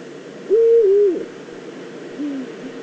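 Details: Probable female Eurasian eagle-owl calling at its nest scrape in the Eifel, Germany, 22 September 2014: a loud, wavering hoot of about half a second, then a softer, lower falling hoot, with faint hiss throughout.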